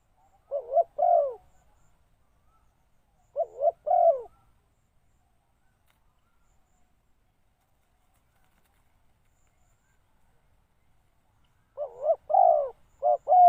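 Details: Spotted dove kept as a decoy, calling to attract wild doves. Paired, throaty coos come in bursts several seconds apart, with a long silent gap before a final run of four notes.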